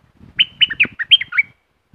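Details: Streak-eared bulbul of southern Thailand delivering a fast, bubbly phrase of about six warbled notes, some rising and some dipping, ending in a drawn-out falling slur, with soft low rustling underneath.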